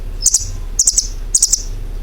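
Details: Three quick bursts of sharp, high chirps from a bird, each made of two or three ticking notes about half a second apart, low background hum.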